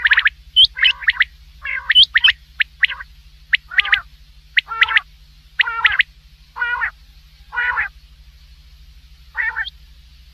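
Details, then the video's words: Common quail at night: quick rising notes in small clusters at first, followed by a series of lower nasal calls spaced about one second apart. "quail voice for night | Batair ki awaz"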